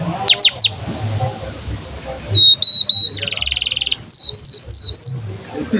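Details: A domestic canary's song, played to teach young canaries and silent birds to sing: quick steep downslurs, three steady whistled notes, a fast buzzy trill, then a string of repeated curling downsweeps.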